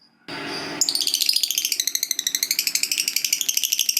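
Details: Fighter lovebird in its long ngekek chatter: after a rough buzzy burst, a rapid unbroken stream of high, sharp ticking notes runs on for over three seconds, indoors.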